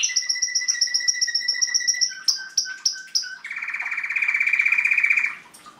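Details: Canary singing indoors: a fast series of repeated high whistled notes, then a few separate sharp chips, then a long rapid buzzy trill held for about two seconds before fading.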